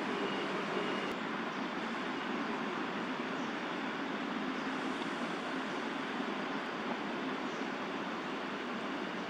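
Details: Continuous roar of passing vehicles in a city setting, even and unbroken, without any distinct animal sound.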